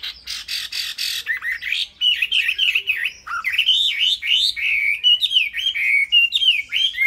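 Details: Tame Chinese hwamei kept in a cage, singing an unbroken stream of fluid, wavering whistles that bend up and down repeatedly, loud and rich throughout.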